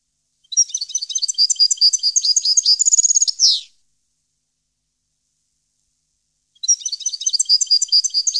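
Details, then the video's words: Song of a European goldfinch from 2015: rapid tinkling chatter of high, bright notes with a brief whistled trill and a harsh buzzy ending, followed by a gap and a fresh twittering phrase. "Goldfinch song 2015/ Canto Jilguero Parva 2015"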